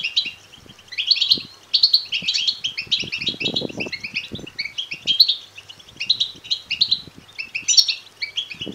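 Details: Begging calls of goldfinch chicks, chosen to stimulate singing males: clusters of high, buzzy chirps in short repeated bursts, with scattered low clicks and rustles.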